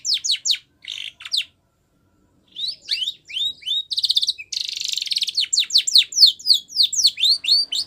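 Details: A white Spanish Timbrado canary sings a training song: quick runs of high, falling whistled notes mixed with dense buzzy, metallic trills, broken by one short pause.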